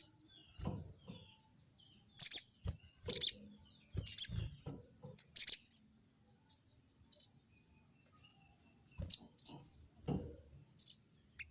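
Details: Crested jay's 'crecet' call aimed at a rival: a run of four loud, rasping bursts roughly one second apart, then scattered softer clicks and a few later bursts, with a constant high whine throughout.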